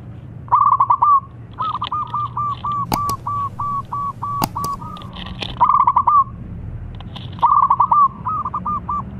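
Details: Vigorous local zebra dove song serving as a lure for doves that do not sing: repeated phrases of quick, clipped mid-pitched coos, some long rolling runs, with a few sharp clicks and a low background hum.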